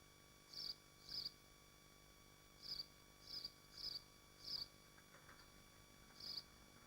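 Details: From a nest livestream of swifts in Machynlleth, Dyfi Biosphere, Wales: seven shrill buzzing screams, mostly in quick pairs with short gaps, with a low electrical hum underneath.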